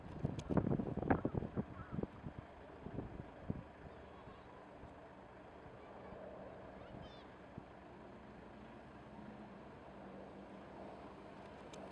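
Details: Knocks and muffled voices at the start give way to a steady low rumble of wind and engine noise, with no clear animal calls.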